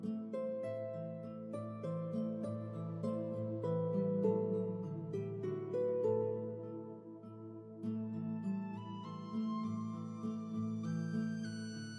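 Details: Soft, slow instrumental music with sustained harp-like tones and gentle melodic steps, with no animal calls audible.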